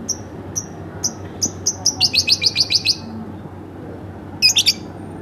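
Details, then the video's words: Home-kept lovebird in lively chirping song: thin high notes speeding up from single peeps into a rapid run of about a dozen buzzy chirps, a pause, then a short chattering burst. "masteran bukan tapi burung lovebird rumahan"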